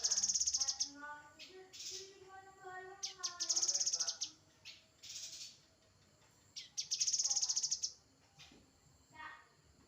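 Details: Grey-headed canary-flycatcher singing. Thin, high, rapid trills recur about every three seconds, separated by lower, tonal, stepped notes and short pauses of quiet background.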